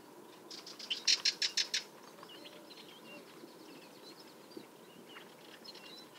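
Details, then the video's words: Sardinian warbler giving its alarm call: a loud, dry, harsh rattle of about seven rapid clicking notes, then quieter scattered chirps from other birds over steady background hiss. "קול אזהרה סבכי שחור-ראש"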